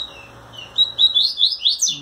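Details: Caged male double-collared seedeater courting a female with trembling wings, delivering a short phrase of rapid, upward-sliding high whistles after a quiet start, over faint indoor hum.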